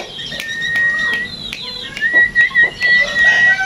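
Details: Tame sooty-headed bulbul kept by its owner, whose care aims to make it sing often: a clear, steady whistled tone that holds level, with short rising notes before it and faint clicks and chirps behind.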